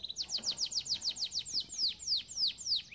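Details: Canary singing a training song: a steady tour of downward-sweeping whistled notes repeated roughly four times a second, clear and bright, with no other sounds.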